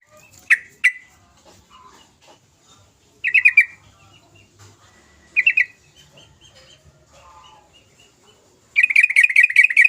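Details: Sooty-headed bulbul singing energetically, used as a lure to stir reluctant birds into song: scattered short bright chirps, then a fast burst of repeated rich ringing notes over the final second.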